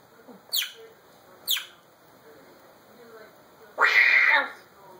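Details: Male African grey parrot alone in a room, recorded by phone during a mimicry show: two quick, high, falling chirps, then a loud, harsh, buzzy squawk lasting over half a second.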